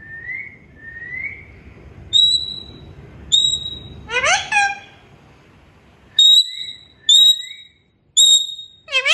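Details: Parrot saying "mian mithu": rising whistled glides, then a harsh, broken, speech-like burst, followed by clipped level whistles and a final rasping syllable, with faint background hiss early on.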